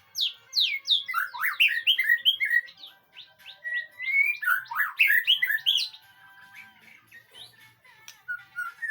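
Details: White-rumped shama song used as a training recording to prompt a reply: varied loud whistled phrases and quick rising and falling notes in dense bursts, with a pause, then softer whistles toward the end.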